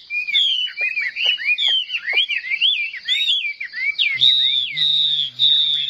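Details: Chinese hwamei singing competitively while spreading its tail and raising its wings in display: a fast run of loud, varied whistled slurs and looping notes. These give way to a steadier sustained whistle over a low, constant hum.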